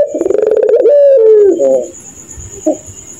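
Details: A single 'laughing' coo from a puter pelung Barbary dove after dark: rapid pulsing chuckles that merge into a smooth, low, slowly falling note, then near silence with a faint high whine.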